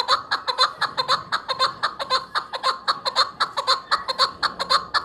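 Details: Chukar partridge call, presented as a hunter's chukar sound: rapid chuckling notes repeated about twice per second in a steady, even rhythm, each note bright and clipped with strong overtones.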